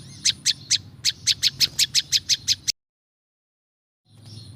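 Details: Prinia (prinjak lumut) in a natural recording for attracting wild birds: a run of about a dozen sharp, high chips, then a sudden silence before faint background noise returns.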